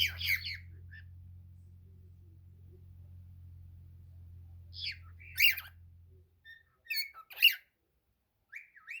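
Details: Cockatiel singing as a pet; a harsh chattering burst opens, then after a quiet stretch with low hum come scattered raspy notes and short whistled slides.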